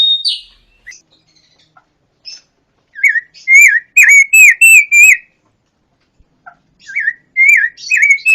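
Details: Pancawarna bird singing: after scattered thin high notes, a lively run of bright whistled chirps, each bending up and down, repeated about three per second in two bursts, with clean quiet gaps.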